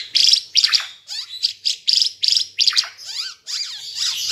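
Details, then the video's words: Ara Timor bird in full vigorous song, recorded for teaching other birds: loud, harsh, chattering bursts in quick succession, each a scratchy cluster of high notes with brief gaps. The final phrase becomes a longer trilling sweep. "Burung Ara Timor Gacor"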